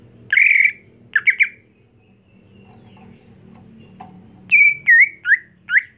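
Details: Home-kept greater green leafbird being trained to perform fiercely at a bird contest. Loud whistled notes near the middle pitches come in short bursts: one note, then a quick pair, a pause, then four sliding phrases in a row. A faint low hum sits underneath.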